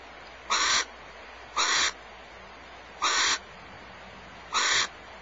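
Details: Mated barn owls at Starr Ranch during a food exchange, the female taking prey back from the male; four rasping, broadband screech bursts roughly every one and a half seconds against steady background noise.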